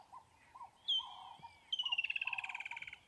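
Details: Martial eagle at the Crocodile River, Kruger National Park, collecting nesting material and building a nest, gives a single high whistled note, then a fast run of about fourteen clipped, ringing notes slowly falling in pitch; frogs croak steadily underneath.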